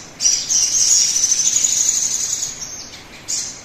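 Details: Sogon lure song for making birds start singing quickly: a sudden onset into a long, rapid, very high buzzy trill lasting about two and a half seconds, then a short pause and another brief burst.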